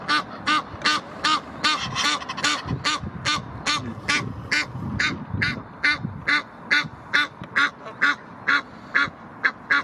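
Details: Egyptian geese aggressively defending territory at the Blies in Ludwigshafen am Rhein, Germany: a steady series of loud, harsh honks, roughly two per second, with low rumbling background noise between calls.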